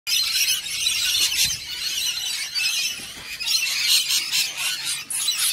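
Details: A female cockatoo, identified by her red-brown eyes, screeches in harsh, grating bursts almost without pause while waiting to take over a food bowl, loud and raspy throughout, with no other sounds clearly heard.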